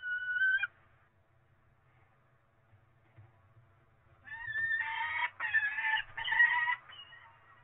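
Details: Peregrine falcon chicks at a nest in Cromer on 27 April 2024, being fed a pigeon for breakfast. A short harmonic wail opens the clip. After a quiet gap come loud, rough, screeching bursts in quick succession, with faint low rumble beneath.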